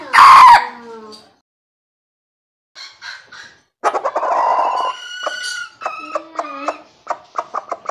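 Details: Crowing of a young red junglefowl: an opening loud cry, a pause, then a ragged, uneven crow of rough, stuttering segments and wavering harmonic notes.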